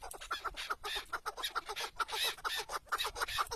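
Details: Chukar partridge tied out as a decoy while hunting in open country, repeating sharp, hoarse chuk notes in quick succession with a brighter, higher edge on some calls.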